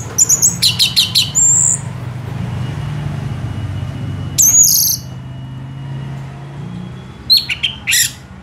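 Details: Orange-headed thrush song in brief clusters of high whistles and trills separated by long gaps, over a constant low rumble of background noise.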